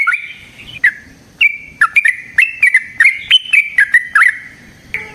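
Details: Yellow-vented bulbul's long fighting song meant to provoke a rival: separate bright, gurgling whistled notes that rise and fall, spaced irregularly with short gaps between them.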